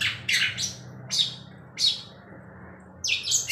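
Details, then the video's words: Long-tailed shrike still singing hard at night while moving its tail, giving loud raspy broadband bursts that are spaced irregularly. Each burst is short and scratchy, and a steady low hum runs underneath. "CENDET Lesus. MLm tetap masih gacor."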